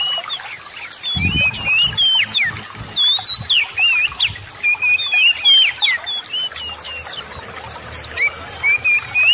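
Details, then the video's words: Oriental magpie-robin song meant to provoke reluctant birds into singing: a long, steady stream of short whistled slurs and wavering notes, repeated about three times a second, with a low thump early on. "TERAPI PANCINGAN SEMUA JENIS KACER AGAR CEPAT GACOR, ,YANG MALAS BUNYI LANGSUNG GACOR"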